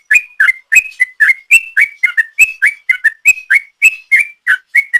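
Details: 'Ropel' song of a sooty-headed bulbul, used as a lure. Steady, rapid succession of short whistled slurs, alternating upward and downward notes about four per second, nothing else audible.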